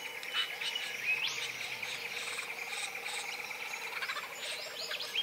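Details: Satin bowerbird during courtship: a steady chirring, buzzy churr runs throughout, overlaid with scattered sharp high chirps and brief twittering notes, fairly faint and continuous with no pauses.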